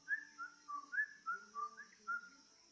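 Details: A yellow-vented bulbul played as a lure to get other bulbuls singing gives a bubbly run of about eight short, liquid whistled notes, dipping and rising, over a steady high electrical hum.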